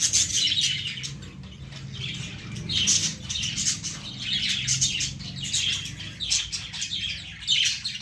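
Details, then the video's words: Young lovebirds perched in a plant chatter continuously: rapid, high-pitched squeaky chirps and scratchy notes overlap in pulses roughly every second, set against a faint low rumble. "baby love birds in plant l cute birds in plant l love birds sounds"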